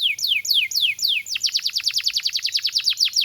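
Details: Canary song meant to train young canaries: about five slow descending whistled slurs, then a fast rhythmic roll of repeated notes near twelve per second.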